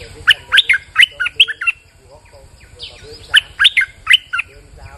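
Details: Bulbul singing a lure song in the rain. Two loud, bubbling phrases of rapid rising and falling notes come about two seconds apart. Quieter chirps and a constant low pulsing hum sound behind them.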